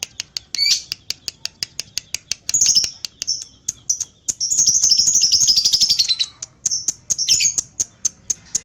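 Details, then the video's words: Pied lovebird, tail moving, mixes sharp ticking notes with a sustained, very high rattling ngekek lasting nearly two seconds in the middle, then short squeaks and more clicks. "Love bird paud ngekek panjang ekor main"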